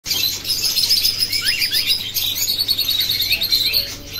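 A male cockatiel sings rising whistles amid a busy background of chirping birds.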